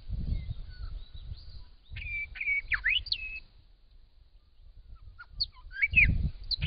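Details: Australian Grey shrike-thrush in spring giving whistled song phrases: level notes broken by quick downward and upward slurs, a quiet gap, then further twisting notes, with bursts of low rumbling wind or handling noise.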